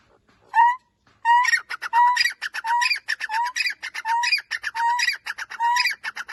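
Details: Francolin in a loud, rhythmic call: an opening whistle, then repeated phrases of a rising whistled note and a burst of harsh, rattling notes, about ten phrases cycling steadily.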